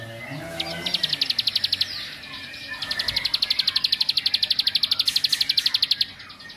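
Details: Bar-winged prinia, a rice-field bird, singing to agitate and provoke other prinias: a fast, even train of sharp, ticking high notes in two bursts, the second long and steady, over faint rural background.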